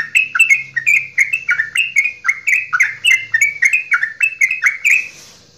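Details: Straw-headed bulbul of Java, a kept songbird, in long goklikan song used to provoke other birds into song: rapid, rich warbled whistles rising and dipping in quick succession for about five seconds, then stopping abruptly.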